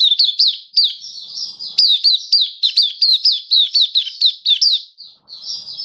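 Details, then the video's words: Kitaro-type Oriental white-eye, a caged mata puteh in a song booster trial on its seventh day, October 2022, delivering a continuous run of high, quick downslurred twitters and chips with a thin buzzy warble underneath, background nearly silent. "Mata Puteh Kitaro Buka Sing"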